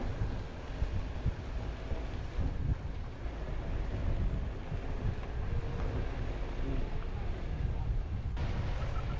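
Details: Strong wind buffeting the microphone in Ladakh, a continuous low rumble with gusts and no animal voices.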